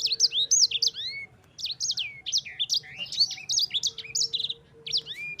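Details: A sanger, or yellow-fronted canary, sings quick phrases of sharp high chirps and down-curving whistles, with short pauses and a rising whistled note ending some phrases; a faint low hum persists.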